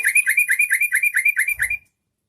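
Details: Song of the yellow-vented bulbul (trucukan) that prompts other bulbuls to sing: roughly thirteen rapid, liquid, down-slurred notes in under two seconds, ending abruptly, with a faint low rumble near the end.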